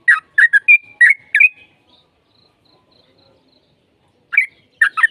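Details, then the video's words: Sooty-headed bulbul song used as a lure to provoke a reply from another bird: a burst of short, bubbly notes around two kilohertz with a thin whistled tail, a long pause, then more chirpy notes returning near the end. "PANCINGAN TRUCUKAN AGAR CEPAT BUNYI"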